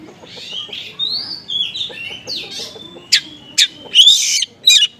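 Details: Konslet-style oriental magpie-robin lure song with small-bird material: a run of slurred rising and falling whistles, then sharp high strokes and a harsh, buzzy rasp near the end.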